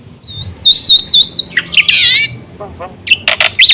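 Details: Black-winged myna singing to lure other mynas into song: looping whistled phrases, then a harsh buzzy rattle and loud, rough squawks.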